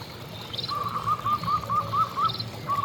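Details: Distant local zebra dove singing, recorded to lure other zebra doves: a faint, steady run of small rising coo notes, roughly four per second, over low background noise.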